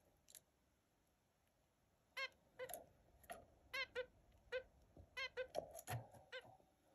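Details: Australian zebra finch giving short, nasal, toy-trumpet beeps in an irregular burst of repeated notes.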